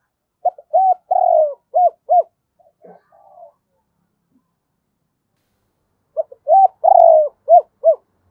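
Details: Spotted dove kept as a lure, cooing to provoke wild doves: a low phrase of quick arched coos around a drawn-out vibrating note, faint scraps of sound, a silent gap, then the same phrase again.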